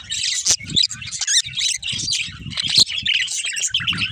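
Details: Budgerigar breeding pair giving loud warbled chatter and squeaky chirps in short phrases, with sharp clicks and low thumping sounds between them.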